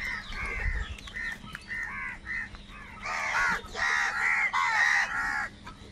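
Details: Crows squabbling over food make rapid harsh caws, about three a second at first, then louder, longer grating calls crowd together as the fight heats up, with faint low background rumble.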